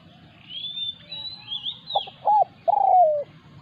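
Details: Spotted dove call during decoy luring, with a resident wild bird confronting the decoy. Two short clipped coos lead into a longer, drawn-out coo that slides downward. Thin, high, whistled notes from another bird drift across the opening second.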